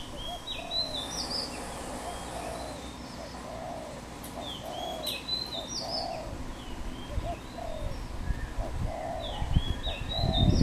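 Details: Wild dove in Cambodia, recorded 24 April 2020: a series of soft, low, hollow coos repeated roughly every second, with thin high chirps and whistles from other birds above and a low rumbling noise building toward the end.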